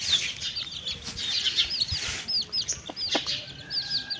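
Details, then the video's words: Hen with chicks feeding together: many rapid, high downslurred chick peeps fill the clip, with a few low hen clucks near 1.9 and 3 seconds. "Chickens and chicks eating sound🐓🐔🌹|birds sound|mother hen with chicks"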